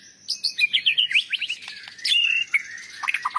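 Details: Championship white-rumped shama song for training other birds, a quick run of bright chattering notes followed by a clear level whistle and scattered chips.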